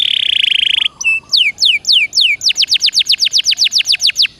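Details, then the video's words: Canary song played to get a caged canary singing: a dense buzzy trill, a brief pause, then downward-sweeping whistles that speed up into a rapid regular series of slurred notes. "Suara Burung Kenari Gacor Dor Nembak Untuk Pancingan"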